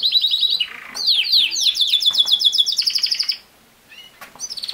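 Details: Canary song used to teach a young male to sing: a quick whistled trill, then a lower buzzy roll and a long run of rapid sweeping notes, a short pause, and renewed high trilled phrases at the end.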